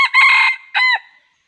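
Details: Red junglefowl crowing during wild junglefowl trapping: a loud, harsh, broken crow with a long first phrase followed by a shorter, clipped closing note, ending abruptly in silence.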